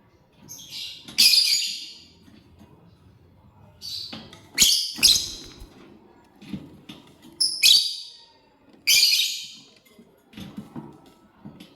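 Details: Lovebird chirping while feeding on corn, uttering loud, harsh, high screeches in pairs and small clusters, spaced two to four seconds apart, with faint clicks between calls.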